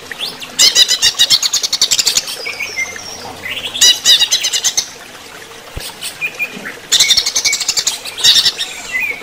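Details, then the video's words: Greater green leafbird singing under running-water therapy: three loud bursts of fast, buzzy repeated notes, each lasting one to two seconds, with faint whistles in between. "terapi air mengalir untuk cucak ijo"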